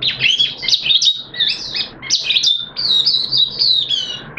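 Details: Caged oriental white-eye singing on the second day of a monthly deworming treatment: a rapid, high, twittering warble of thin slurred notes, tumbling without pause for the whole stretch.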